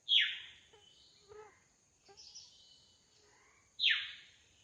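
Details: Drongo singing freely in the wild: a loud descending whistle opens, soft varied lower chirps and buzzy notes follow, then a second strong falling whistle near the end.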